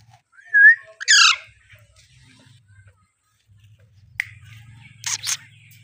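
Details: Young Alexandrine parakeet: a short rising whistled chirp, then a harsh rasping squawk, quiet for two seconds, then a sharp click and a pair of brief scratchy notes, with a low hum underneath.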